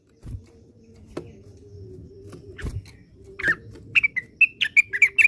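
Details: Classic song of the orange-spotted bulbul (cucakwilis) from Indonesia: after a near-quiet start with a few clicks, a run of sharp, bright whistled notes builds up quickly over the last two seconds above a steady low hum.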